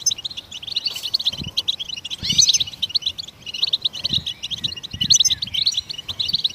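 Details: Goldfinch song meant to stimulate other songbirds to sing: rapid tinkling twitters in bursts, broken by sharp buzzy slurred notes and brief pauses, over faint low background thumps.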